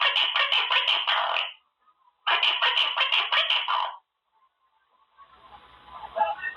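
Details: Quaker parrot kept as a pet, practising in its cage: two dense bursts of rapid, raspy chatter repeated in quick rhythm, then a soft background murmur.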